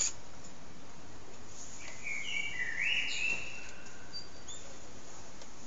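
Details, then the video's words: Evening song of a common blackbird at sunset, captured with a phone: one rich, fluty whistled phrase rising and falling near the middle, ending in thinner high twitters, with faint background hiss. "Sunset with Blackbird's evening song"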